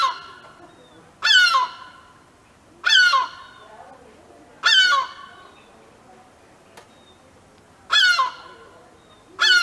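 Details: Alarm screams of a European herring gull defending a chick on the ground and alerting neighbouring gulls: five strident, descending yelps at uneven gaps of one and a half to three seconds, against a faint background hiss.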